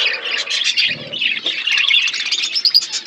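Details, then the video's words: Flocked budgies feeding, giving a steady chorus of high chattering chirps and warbles, with a brief low rustle partway through. "Beautiful budgies flocks birds eating food birds chirping sounds"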